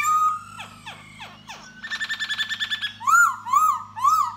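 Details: Laughingthrush ('da bò' type) singing while dancing to attract a female. A clear whistle, a few down-slurred notes, a rapid rattling trill, then three loud arched whistles about half a second apart. Low hum in the background.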